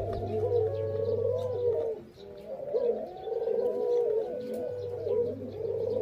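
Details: A spotted dove sings in the morning: soft, rolling coos, repeating the phrase every couple of seconds.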